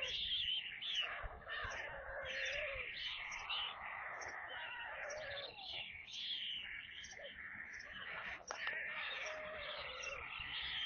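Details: At a webcam-watched stork nest in Kaluga region, Russia, white storks call during supper feeding on 22 July 2022 at 17:52, a corncrake among the prey. Steady overlapping whining cries, harmonic and unbroken, with one brief click.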